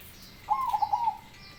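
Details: Zebra dove described as having a big voice, giving one rolling cooing phrase: a rising note followed by a quick burst of throaty, tremulous coos, about one second long, over quiet background.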